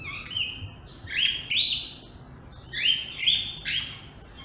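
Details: Chirping from a talkative grey-headed parrot: two pairs of loud, squeaky whistled chirps with harsh edges, separated by a brief pause, then a run of three more, each note short and high.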